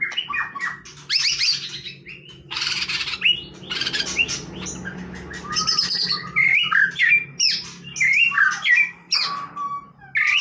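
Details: Relaxed song of a white-rumped shama, a long, rich medley of loud buzzy bursts, clear whistles and quick chips in separate phrases, with brief pauses between them and a faint low hum behind.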